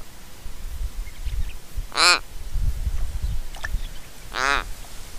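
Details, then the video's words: Australian Little Raven in Mannum, South Australia, fluffing its head feathers and ruffling its throat hackles while calling, caught on a trail camera; two harsh, creaking, strongly harmonic croaks about two seconds apart over low rumbling background noise. "Australian Raven Making Creaking Sounds"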